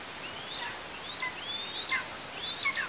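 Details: Nestling Eastern imperial eagle, Tatarstan, August 2023, as the adults deliver food: four faint, drawn-out ascending whistles, each ending in an abrupt downward flick, over a quiet background.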